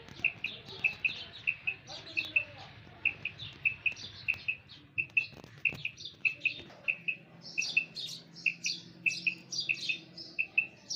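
A female common quail gives soft, high paired notes, 'wep-wep', repeated steadily about twice a second over a faint low hum.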